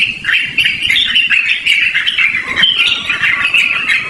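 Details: Continuous long-running Yellow-vented bulbul song meant for luring or as a master recording for training birds: an unbroken stream of bright, chattering, slurred notes with quick pitch wobbles.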